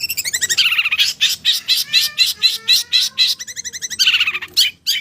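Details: Clear Javan long-tailed shrike song full of fills, with fast, buzzy, harmonic notes delivered about four per second, rising and falling in short rolling phrases.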